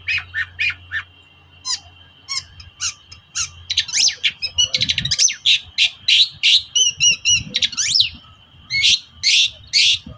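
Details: Excited, chattering long-tailed shrike toet-toet calls meant to provoke reluctant shrikes: a fast, varied stream of harsh bursts, quick rising and falling whistles, and rapid ticking notes with barely a break.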